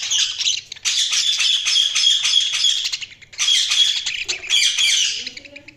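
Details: Budgerigars chirping: dense, continuous high warbling chatter of squawks and trills, pausing briefly near one and three seconds, with a few lower murmuring notes near the end.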